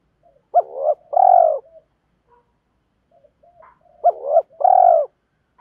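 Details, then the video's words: Spotted dove decoy calling to lure wild birds and challenge rivals, a two-part coo: a short rising note then a long steady coo, repeated twice about three seconds apart, soft faint notes between. "tiếng chim cu gáy thúc đấu và gáy gọi, chim cu mồi gáy gọi bổi nghe rất nhanh về cội, cu đất gáy"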